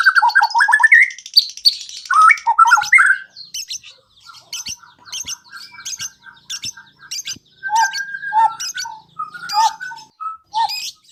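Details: Lure song of a white-rumped shama, played so other shamas start singing and show their repertoire: loud warbled, squawky phrases, then softer spaced chips and short whistled notes with small ticks between.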